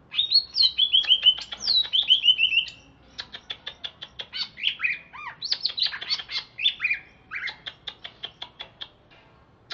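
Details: Greater green leafbird from Alas Purwo, Banyuwangi, singing after its bath: descending chirped runs give way to a fast, varied medley of sharp ticks, slurred whistles and mimicked-sounding notes.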